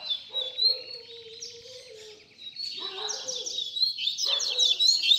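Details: Baderna-style song of a double-collared seedeater, meant as a model for young birds learning to sing: rapid high chattering and whistled notes, growing busier toward the end, over a lower drawn-out tone.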